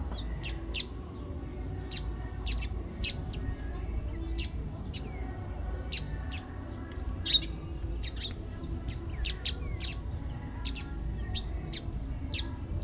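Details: Pale baywing (Agelaioides fringillarius): a steady run of short, sharp, high chirps scattered irregularly over about thirteen seconds, several notes per second at times, over a low background rumble.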